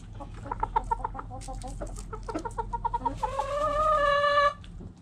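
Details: Backyard hens clucking in a quick, uneven series of short notes for about three seconds, then a rooster breaks in with a long, sustained, level crow before it stops abruptly.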